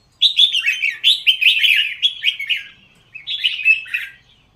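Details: Red-whiskered bulbul, raised in Thailand for song competitions, pours out a loud run of rich, chortling whistles for two seconds, pauses briefly, then adds a shorter warbled phrase.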